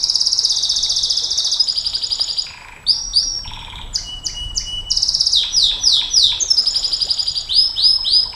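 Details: Canary in the long 'nembak panjang' style used for tutoring and provoking canaries: a loud, rapid buzzy trill, then varied clipped notes and whistles, another fast trill, and a string of downward swoops.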